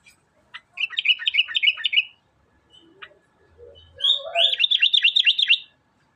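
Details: Sooty-headed bulbul, known locally as kutilang, singing lively: quick bursts of sharp chirping notes, a trilled run near the start and a second fast run of repeated up-down notes near the end, with soft lower notes between.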